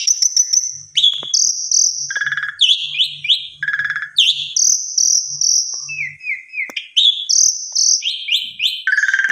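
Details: Asian pied starling singing a lure song full of mompa fill-ins: long high whistles, rapid stacked chattering notes and buzzy descending phrases in varied succession, with faint low knocking in the background.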